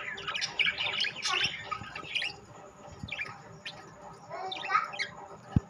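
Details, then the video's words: Rainbow and classic budgerigars twittering in scratchy bursts, strongest at the start and again near the end, with quieter gaps, some low background noise and a sharp knock at the close. "বাজরিগার পাখি"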